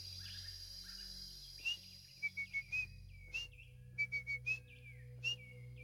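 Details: At Kurisa Moya Nature Lodge in South African forest, an African Emerald Cuckoo gives clear, high whistled phrases of three or four notes, rendered 'pretty Georgie', repeated every second or so over a low steady hum.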